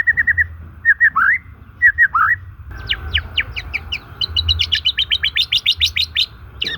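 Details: White-rumped shama song used to lure and stimulate silent, stressed shamas: clear whistled notes in short groups, then a quick run of rising, upward-sweeping whistles repeated about twice a second, over a steady background hum.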